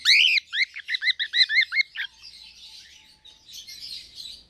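A cockatiel gives a harsh screech followed by a quick run of arched, chirping notes.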